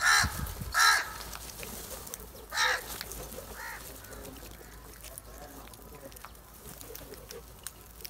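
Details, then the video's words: Black crows, a large group attacking cheese, give a few harsh caws in the first three seconds, then quieter scattered calls with rustling background. "Different Crow Sounds | A large Group of black Crows Attack On cheese | Happy Crow Sound"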